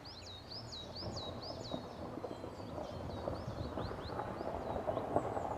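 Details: Bird singing on Cannock Chase in a quiet setting. Bright, high, downward-swooping whistles repeat rapidly, strongest at the start and fading later, over a steady low rumble.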